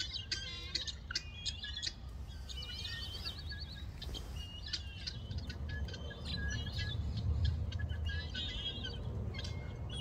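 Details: Guineafowl roosting in trees near a creek in Gqeberha, South Africa, calling back and forth through the night. Rapid, irregular bursts of harsh, clicking cackles and short high squeaky notes from several birds over a low steady rumble.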